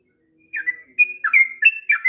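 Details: Sooty-headed bulbul song used to tutor young birds: a brief phrase of a few liquid, slurred whistles after a moment of quiet.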